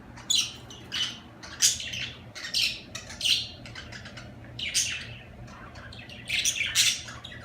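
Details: Budgerigar warble: loud bursts of buzzy, rasping chirps roughly every second, with quieter chatter between and a faint low hum.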